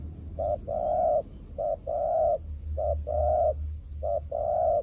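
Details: Spotted dove (Spilopelia chinensis), a lure bird, gives low, mellow coos, a short note then a longer one, about once a second, over a steady high whine and low rumble.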